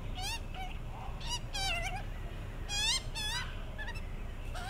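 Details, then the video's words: Hungry baby magpie begging from a neighbour's tree outdoors: repeated wavering, nasal squeals with rising harmonics, several in quick bursts, over steady low background rumble. "More Hungry Magpies"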